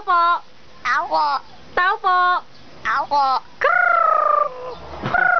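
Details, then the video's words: Crow mimicking talk to its owner, giving short held nasal syllables and quick wavering bursts, ending in a longer steady tone that fades, with short silences between phrases. "RAVEN | CROW TALKING TO HIS BOSS | Nagsasalitang owak"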